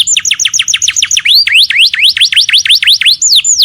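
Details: Domestic canary singing at home: rapid rolling series of steep descending whistled notes, shifting into upswept V-shaped notes about three per second, then a fast trill and falling slurs.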